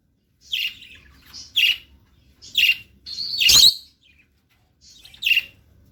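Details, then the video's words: Lutino lovebird singing with a steady run of sharp, high, shrill chirps about once a second, one louder harsh rasping burst in the middle, and a quiet background. "singing love birds"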